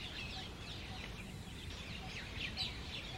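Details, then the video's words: Two groups of common mynas fighting over territory in the summer breeding season while jungle babblers intervene; harsh, overlapping screeching notes and scratchy rising-falling squawks crowd together continuously, with a steady background hiss. "Myna Birds Fight"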